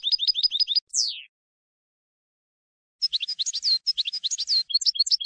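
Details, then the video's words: European goldfinch song recorded for training young decoy birds for field contests and trapping: rapid repeated tinkling notes, a falling slurred whistle, then a long run of bright, varied twittering phrases after a short pause. "Canto del jilguero CD campero para educar reclamos noveles"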